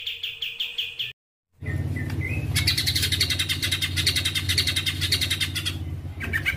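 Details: White-rumped shama in a 'tembakan' combination meant as a tutor song: short repeated notes, a pause, then a long dense burst of rapid high notes over a steady low hum and background rumble.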